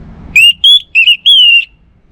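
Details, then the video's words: Orange-headed thrush, a caged songbird in full continuous song, giving four loud, clear whistled notes, each slurred slightly upward or downward, in a short phrase with no other sound. "Burung ANIS MERAH Lansung Nyaut Gacor Tanpa Henti"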